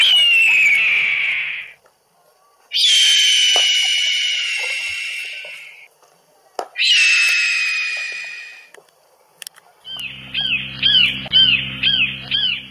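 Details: Eurasian sparrowhawk in a garden: three long, harsh, wavering whining calls, each two to three seconds, separated by short pauses, followed by a run of quick, sharp, arched notes repeated about twice per second over a low hum.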